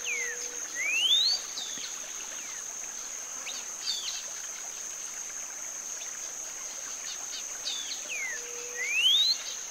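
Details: Cinnamon-bellied Saltator (Saltator grandis) in a cool early-morning dawn chorus along the Huatulco River near Santa María Huatulco, Oaxaca, Mexico, whistling short, varied, non-repeating phrases with rising, question-like endings, a few seconds apart, over a steady high insect drone.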